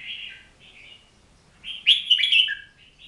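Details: Oriental magpie-robin delivering varied whistled phrases, first softer warbles, then a loud rich flourish ending in a short falling note, in a quiet setting.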